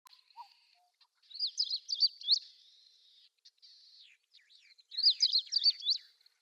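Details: A Long-tailed Rosefinch at Wakka Primeval Flower Garden, Hokkaido, recorded early in the morning, gives two short, bright warbling phrases of quick high up-and-down notes, about a second each, with softer scattered notes between them.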